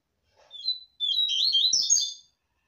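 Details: Seedeater song in the 'tui tui zero zero' style, used to train captive birds: a short high whistled note, a brief pause, then a fast twittering, warbling phrase of high sweeping notes lasting over a second. A few faint low knocks.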